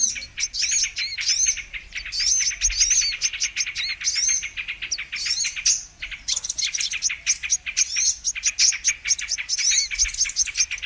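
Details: Brown-throated sunbird song used as a trapping lure: quick bursts of shrill, clicking chirps mixed with squeaky upward-sweeping notes, broken by a short pause near the sixth second, then a long run of rapid high twittering.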